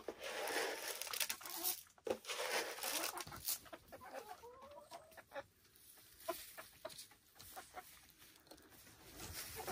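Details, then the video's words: Silkie chickens on a Vermont hill farmstead: a hissy, noisy stretch gives way to a couple of rising, harmonic calls and scattered soft clucks, with steady background noise throughout. "Relaxing Silkie Chicken Sounds"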